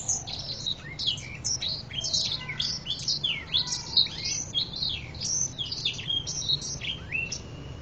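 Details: A canary with many varied song elements and strong volume sings a fast, continuous stream of high chirps, sweeps and trills over a faint low hum.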